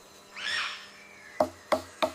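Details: A Palm Cockatoo uses a stick to drum on a tree in a deliberate tap-pause rhythm linked to courtship and display: three sharp, hollow wooden knocks about a third of a second apart, after a brief arching whistled note.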